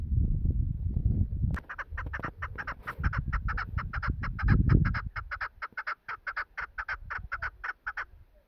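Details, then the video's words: Female chukar partridge kept for hunting, giving a fast, even series of harsh clucking notes, about four per second, after several seconds of low rumbling and handling noise. "shikari fimel chakor voice"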